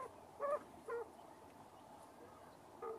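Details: Broody quail hen accompanying her chicks: three brief, low, muffled clucks spaced unevenly with quiet gaps between, against faint background hiss.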